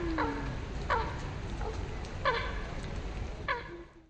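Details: Eurasian coot during fighting at Hackney Marshes, London: four short, sharp, nasal notes spaced about a second apart, over a steady low rumble of traffic or wind.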